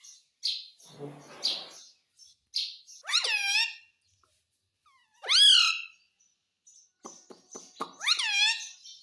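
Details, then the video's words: Indian ringneck parakeet kept as a pet indoors, said to speak Hindi words: soft rustling and brief chirps, then three loud, widely spaced, arched squawks, the last preceded by a few sharp clicks. "Bolne wala tota - mummy mummy bolta tota - talking parrot - mitthu mitthu"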